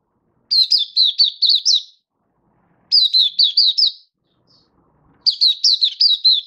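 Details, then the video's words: Caged oriental white-eye (mata puteh) in a song display, recorded 24 February 2023: three high, bright bursts of five or six quick slurred whistled notes, each about a second and a half long, separated by short silences. "Mata Puteh Happy Buka Sing"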